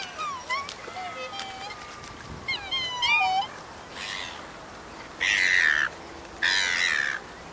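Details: A watching group of black swans at a wetland where two swans fight: a run of high, wavering whistles and quick up-and-down trills, followed by three loud harsh hissing bursts.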